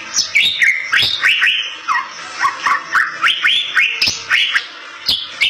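Bali myna singing a lively run of loud whistles, rising slurs and harsh chattering notes, about three phrases a second, with sharp clicks between.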